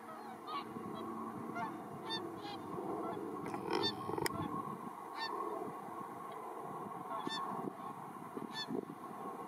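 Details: Around 100 Whooper and Tundra swans gleaning spilled rice grains in a rice field in Iwanuma, Miyagi Prefecture, Japan, 4 December 2023; overlapping honking calls come thickly from the flock while a helicopter drones constantly in the background.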